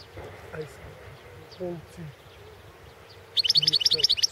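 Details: Goldfinch of the Balkan subspecies in a 2016 world championship competition recording. Low murmuring background for most of the clip, then a sudden high rapid twitter of bright repeated notes in the final second.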